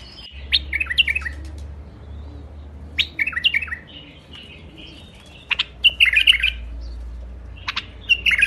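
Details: White-eared bulbul in a rooftop garden, Iraq, delivering a run of rapid, bubbling whistled phrases, notes tumbling downward in quick groups with sharp chips between, over a low humming background.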